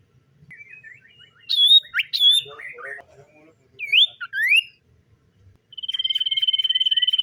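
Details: Common iora in the morning: scattered twittering and two loud up-and-down whistles, a pair of slurred notes, then a long fast, even trill on one pitch.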